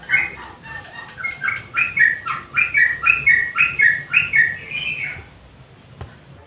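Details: Sooty-headed bulbul in lively, full song used as a lure to set silent birds singing: a quick run of short whistled, warbling notes around two to three per second, fading after five seconds, then a single click.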